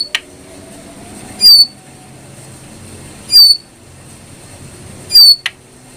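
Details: ['Brown prinia, recorded for training captive birds, giving a loud, short, buzzy whistled note that drops in pitch. It repeats about every two seconds, three times, over a faint steady background hum.']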